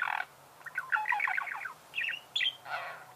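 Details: Budgerigar kept as a pet chattering: a harsh opening squawk, then rapid pulsed chirps and short buzzy notes in quick succession, with low hum in the background.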